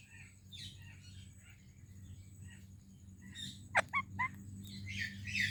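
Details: Parrot greeting another parrot, one called Indian and the other Pakistani: soft scattered chirps, then three loud, short, bending squawks in quick succession, and a harsh noisy burst at the end over a steady low hum.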